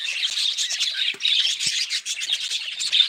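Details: Quick budgerigar chirping and squawky warbling in short rising and falling bursts, with two soft low taps in between.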